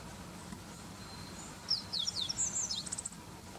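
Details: Meadow bunting singing in late March 2021 at the Hiroshima Prefecture Greening Center, Japan. A single high, brisk phrase of sharp slurred notes runs for just over a second into a quick chattering end, over a faint steady background hiss.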